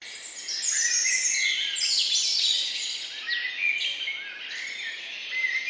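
A dense chorus of several small birds chirping together: high, quick, twittering notes overlapping almost without pause, with a soft hiss of background noise beneath.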